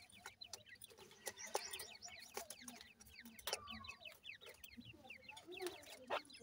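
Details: Francolin chicks feeding give a busy overlapping twitter of quick falling peeps, with loud clicks and knocks scattered throughout and soft clucking underneath.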